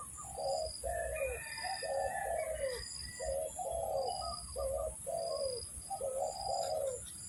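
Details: Luring call of a spotted dove for trapping: husky low coos in pairs, each longer second note dropping in pitch, about four phrases, over a persistent high insect-like tone.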